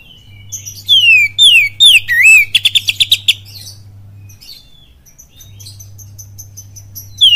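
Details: Oriental magpie-robin singing a 'kapas tembak' style lure song. Three loud, sharply descending whistles lead into a rapid run of about eight buzzy ticks, then thin high notes and near silence over a constant low hum.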